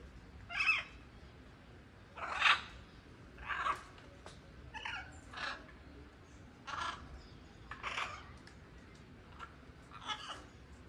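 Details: Free-flying blue-and-yellow macaw giving harsh, raucous squawks, about ten in eleven seconds at an uneven pace, some louder and longer than others, over a faint background hiss.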